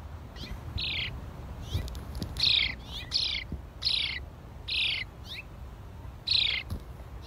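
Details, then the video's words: House sparrows give short, bright descending chirps, about six in seven seconds at an uneven pace, over a low background rumble. "HOUSE SPARROWS CHIRPING SOUNDS"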